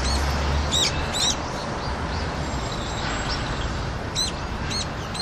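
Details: Brown-eared bulbuls on a Seoul rooftop, Korea, on a cold February 2020 day with frozen water, coming to drink; shrill, high squeaky calls in short bursts over steady low city rumble.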